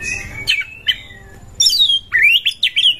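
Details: Oriental magpie-robin in breeding condition, used as a provoking song: sweeping descending whistles, then a run of quick rising chirps and looping notes, over low background hum.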